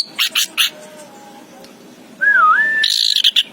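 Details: Anis kembang, the orange-headed thrush, gives three quick sharp chirps. After a pause comes a clear wavering whistle, followed by a high buzzy trill.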